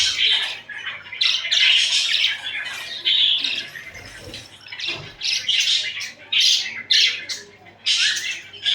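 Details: Budgerigars cuddling and squabbling, chirping steadily: a run of loud scratchy chirps and squawks in short bursts roughly every half second to second, with a brief lull and soft knocks midway.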